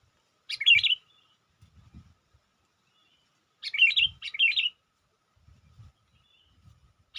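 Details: Lure call of a sooty-headed bulbul meant to draw in wild birds: short bubbly chirping phrases, one then a quick pair about three seconds later, separated by quiet gaps with soft low knocks.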